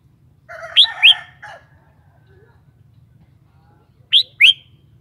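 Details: Kept red-whiskered bulbul giving paired, sharply rising whistled notes, twice, about three seconds apart. A harsh, buzzy, drawn-out call overlaps the first pair, over a faint low hum.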